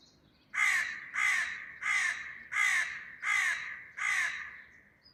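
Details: A crow in a garden gives six loud, harsh caws, each about half a second long, spaced roughly every seven-tenths of a second in a steady series; crow.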